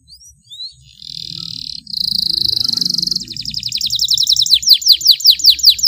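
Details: Long canary tutor song: soft scattered chirps, then a loud buzzy sustained trill, breaking into a repeated series of sharp downslurred notes about two per second.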